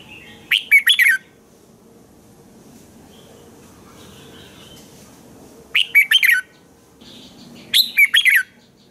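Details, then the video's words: Red-whiskered bulbul singing in the morning, kept to train other bulbuls to sing: three short bursts of bright, warbling whistled phrases, each under a second, separated by quiet pauses with faint background hum. "Chào mào hót sáng hay - DÙNG ĐỂ LUYỆN KÍCH BỔI CĂNG HÓT"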